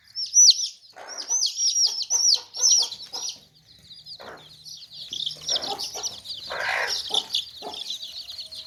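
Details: Baby chicks in a tokri (basket) cheep in high, piercing bursts, strongest in the first three seconds, then continue as a softer, busy twittering, with a few deeper clucking sounds.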